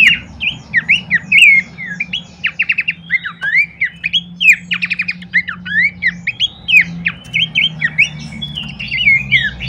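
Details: Horsfield's babbler lure and master song: nearly ten seconds of lively chattering, mixing harsh squawky slurs, rapid trilled bursts and sharp whistled notes, over a faint low hum.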